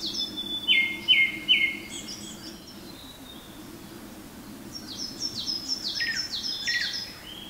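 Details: Japanese thrush male in song at Garyuzan, Hiroshima, on a May 2019 morning as sunlight reaches the forest: three loud, ringing whistled notes in a row, a pause, then a high, rapid series of thin descending notes, with other forest birds in the background.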